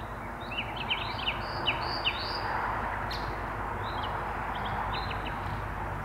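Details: Nightingale singing in the gloaming from deep within birch bushes, two birds singing nearby. Short whistled and slurred notes in quick, uneven bursts over a constant low background hum.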